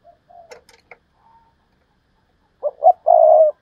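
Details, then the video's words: Spotted dove kept as a decoy bird, heard first as scattered soft clicks and murmurs, then one Thúc Lợi Cốt phrase of two short notes and a sustained rolling coo. "Chim Cu Mồi/ Thúc Lợi Cốt"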